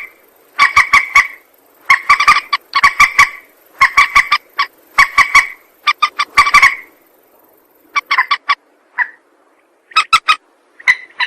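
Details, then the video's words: Rail calls used to lure birds for trapping and shooting: rhythmic clusters of three to five harsh, nasal honks, repeated roughly every second, thinning to scattered single notes toward the end. "Suara pikat burung mandar"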